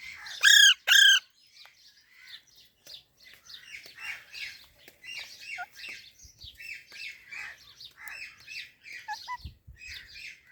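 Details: Chirping baby parrot: two loud, harsh, ringing squawks open the sequence, followed by a steady run of soft, rapid, high chirps repeated roughly twice a second.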